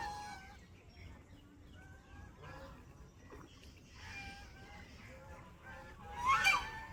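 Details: Ducks in a forest setting making unusual calls: scattered short, nasal, harmonic notes at irregular intervals, mostly faint, with one louder, rougher burst near the end over a low background rumble.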